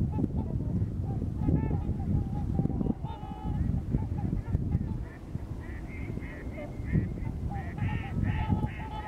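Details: Migrating trumpeter swans, Missouri: a dense chorus of nasal honks, joined in the second half by a run of higher, shorter repeated honking notes, over strong low background rumble.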